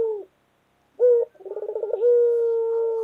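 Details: Collared dove, white local bird, singing 'gacor': after a pause, a strong short note leads into a rapid rolling burble and then a long flat coo held for over a second.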